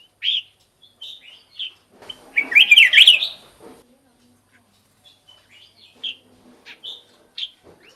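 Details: Black-crested bulbul sounds used as a bird-luring decoy: a crisp chirp, then a burst of loud, dense, jumbled chattering warbles lasting about two seconds, followed by a series of sparse, short, clear whistled notes.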